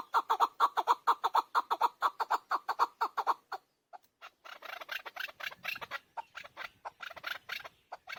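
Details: Chukar partridge, a hunter chakor, calling loudly in a rhythmic train of evenly spaced chuck notes about twice a second, then a short gap and a looser, harsher run of clucks.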